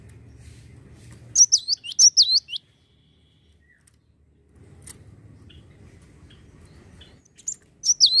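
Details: Java sparrow calling, played to encourage other birds to sing more often: two clusters of rapid high, hooked chirps several seconds apart, separated by stretches of low rumbling background noise.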